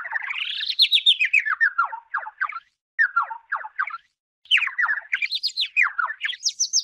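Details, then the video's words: A warbler bathing in a plastic bottle of water during the dry season sings a fast, twittering run of sliding notes that swoop up and down in pitch, delivered in bursts with brief pauses. "The warble bathing in plastic bottle: The Bird songs"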